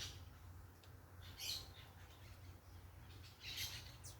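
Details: Parakeets making noise outdoors: two short bursts of harsh screechy squawks about two seconds apart, with a soft wind rumble underneath.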